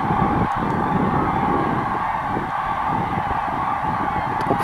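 Steady roar of passing traffic and wind buffeting the microphone on a dyke, with a constant mid-pitched drone and no animal voices.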